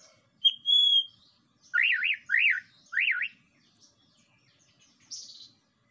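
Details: White-rumped shama lure song to provoke other birds: a pure high whistle, then three loud looping phrases about half a second apart, ending with a short high buzz.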